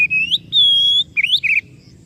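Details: Oriental magpie-robin song with a rising whistle, a long pure high note held for half a second, then a rippling upward slur and a short warbled ending.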